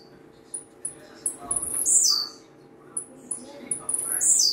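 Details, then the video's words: Blue-black grassquit singing a lot: short high buzzy song phrases sweeping downward, repeated with brief high ticks between, over a steady low hum. "TIZIU CANTANDO MUITO"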